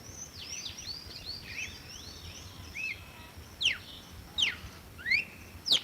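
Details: Red-cowled cardinal singing. The clip opens with soft, distant whistled slurs, then four louder, sharper notes, each a quick downsweep or rising whistle, spaced about 0.7 seconds apart, over a steady high background tone.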